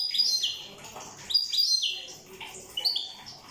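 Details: European goldfinch from Corsica, 'rosse' song: a few brisk phrases of bright, slurred whistles and chirps, each phrase sliding downward, given in short spaced bursts.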